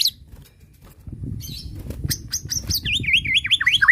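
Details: White-rumped shama bait song meant to make another shama answer at once: after low rumbling background noise, quick high whistled notes, then a rapid series of sharp downslurred chirps repeated in a V-shaped pattern.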